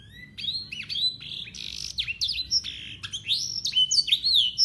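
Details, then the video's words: Local Yorkshire canary in constant song, full of blackthroat and sanger phrases, used as a tutor for young canaries: high, clear whistled notes with rapid slurs and rising-falling sweeps following each other almost without pause. "KENARI YORKSHIRE LOKAL GACOR FULL ISIAN BLACKTHROAT SUARA JERNIH"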